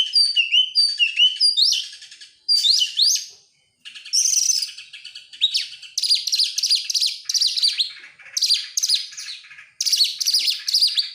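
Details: As a lure to draw song from other birds, an oriental magpie-robin opens with liquid dipping whistles, pauses briefly, then pours out long stretches of harsh, buzzy, rapidly repeated notes.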